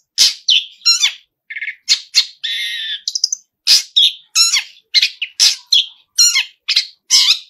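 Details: Long-tailed shrike in vigorous song filled with copied phrases: varied harsh chacks and squawks, a short buzzy trill and a sustained rasping buzz, then more grating notes.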